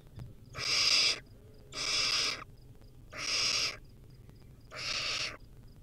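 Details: Young wild barn owl eating a rodent: four loud, evenly spaced hissing screeches about a second apart, each lasting over half a second, with tiny repeated pips in the gaps.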